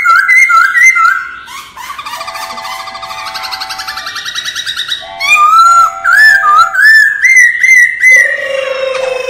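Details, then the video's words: Laughingthrush in forest-style song for voice training, a long varied run of loud whistled phrases, rapid trills and short buzzy stretches, with pitch jumping between high and lower tones and ending on a low sustained note. "Luyện giọng chim Khướu chuẩn giọng rừng"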